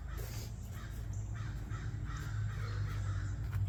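Harsh, raspy crow caws come in a quick uneven series over a heavy low rumble.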